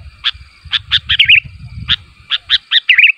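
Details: Calling sooty-headed bulbul meant to prompt other bulbuls to reply, giving sharp single and double chirps followed by a warbling twisted flourish, with low rumbling bumps underneath.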